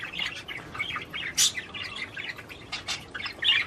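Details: Budgerigar song given to encourage mating: nonstop busy chatter of squeaky trills and whistles, punctuated by a few louder sharp screechy notes.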